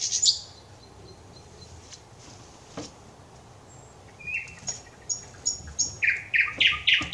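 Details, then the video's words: Thrush nightingale song from 25 May 2021: a brief buzzy opening, a pause of near silence, then short high whistles and a quickening series of hard clacking notes. "Satakieli laulaa, ääni kauniisti ja selvästi"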